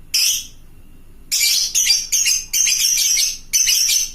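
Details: Lovebird of fighter type calling to others: one shrill squawk, a pause, then a dense cluster of harsh, piercing high-pitched screeches in quick succession.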